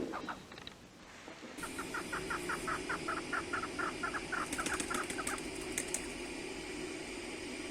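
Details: Chukar partridges calling in a spacious aviary after snowfall, once the sun comes out; after a quieter start, a run of short, evenly spaced clucking notes begins, with a few scratchy higher sounds and a steady low hum behind.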